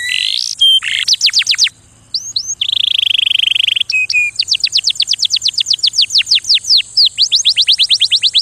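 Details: Varied canary song: twisting whistles, a swift run of falling notes, a steady buzzy rattle and a short low note, then a long regular series of sharp descending sweeps. A faint background hiss is present throughout.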